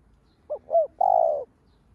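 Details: Spotted dove lure call meant to stimulate other doves: one phrase of two short soft notes leading into a longer, even coo, with quiet surroundings.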